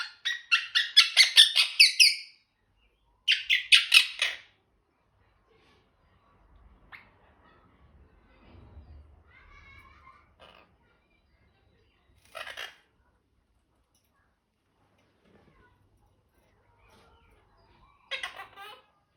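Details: A pet monk (Quaker) parakeet gives loud, harsh, rapidly repeated screeching squawks, then softer chatter and brief squawks.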